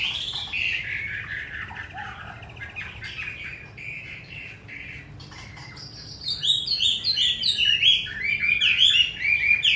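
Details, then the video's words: Wild-voiced ('giọng rừng') caged Hwamei in Hanoi, Vietnam: slow falling slurred whistles at first, then after a short lull a burst of rapid, varied, sharply inflected high phrases, loud and energetic. "Họa mi 5633b đẹp giọng rừng hay mau mỏ"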